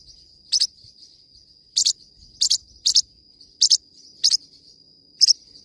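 A parrotlet gives sharp, high, scratchy double chirps, about seven in six seconds at an uneven pace, over a thin, steady high-pitched whine.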